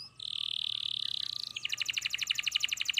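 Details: Canary in full song, holding a steady buzzy whistled trill, then switching to a rapid pulsing roll of clipped notes, over faint background hiss.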